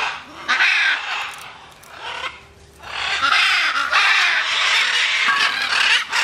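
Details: Free-flying macaws screeching harshly, first a short raspy burst, then after a brief pause a sustained run of rough, grating calls lasting over three seconds.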